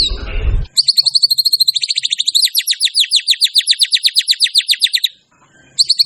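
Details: Energetic white-rumped shama song used as a lure and tutor for other singing birds: after a brief low rustle, a long rapid trill of sharp, clear whistled notes, each sliding downward, repeated several times a second for about four seconds.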